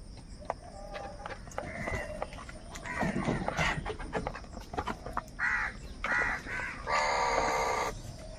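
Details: Crows fighting for food: a run of short harsh caws in the second half, ending in one longer grating caw. Earlier, a busy mix of clicks, chatter and other bird notes.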